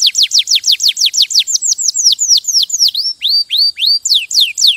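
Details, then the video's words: Singing canary delivering a rapid series of sharply descending whistled notes, then a slower run of drawn-out downward slurs and a renewed quick burst; clean, with no other sounds. "غناء كناري روعة Nyanyian burung kenari itu luar biasa"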